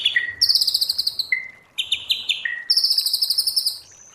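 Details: Forest-voice white-rumped shama song: bright rapid high trills traded with level lower whistles, repeated in turn, closing on a thin high note.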